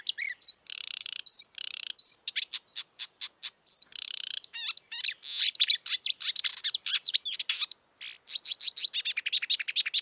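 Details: Wild marsh warbler singing: clear upslurred whistles alternate with short buzzy trills, then the song breaks into a fast, varied run of chattering and sharp clicking notes.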